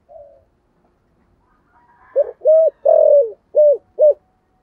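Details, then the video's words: Spotted dove in the giọng thổ voice style, a lure bird calling daily: a soft faint opening coo, a pause, then five low hollow coos in a quick run, the middle one longest, in otherwise quiet surroundings. "cu gáy giọng thổ Gáy Gọi mở hàng ngày"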